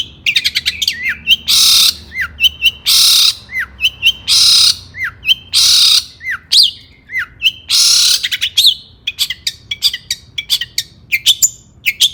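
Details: Long-tailed shrike, stirred up and used to provoke rival shrikes into song, alternates loud, raspy squawks lasting about half a second with quick downslurred whistles and rapid ticking notes.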